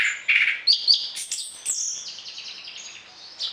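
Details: Short orange-headed thrush song phrase for training other birds, morning and evening: loud sharp whistles and chips followed by a fading trailing warble.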